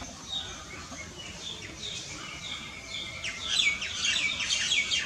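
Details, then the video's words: Indian myna, or common myna, starting with soft scattered chirps that build into a louder burst of rapid, varied squeaks and whistled slurs near the end, against a faint hiss. "Common Myna Bird"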